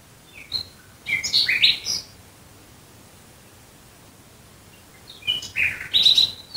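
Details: Night song of a nightingale close to Dresden: a short jumble of high whistles and slurred, rising notes, about three seconds of quiet, then another phrase of varied chirps and pure whistled tones.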